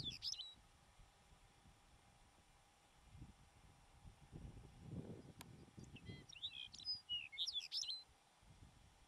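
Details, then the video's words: Lapland Longspur (Lapland Bunting) singing in the Filefjellet mountain highlands of Norway in the first week of July, perched on a rock. Short bursts of jingling, twittering high notes come at the start and again near the end. Low rumbling handling noise fills the gap between them. "Singing Lapland Bunting (Longspur)"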